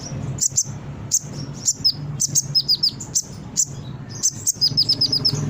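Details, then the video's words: Brown-throated sunbird, known locally as konin, in lively continuous song used to lure and tutor birds: rapid high sharp chirps and quick descending whistled notes in bursts, ending in a fast series of downslurred notes, over a low steady hum. "Suara Konin gacor pancingan burung bahan cepat respon dan bunyi"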